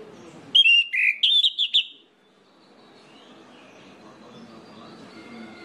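Orange-headed thrush giving a loud, rich burst of varied whistled phrases lasting just over a second, followed by quiet background hiss.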